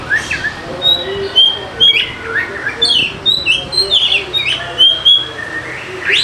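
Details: Singing Oriental magpie-robin, played to get idle birds singing: a busy run of clear whistles, short chirps and slurred notes repeated in quick bursts, ending with a rising whistle.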